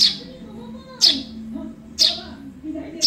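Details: Juvenile Eurasian tree sparrow, recorded as a tutor for cage songbirds, giving loud, sharp high chirps about once a second, with a quiet low hum behind.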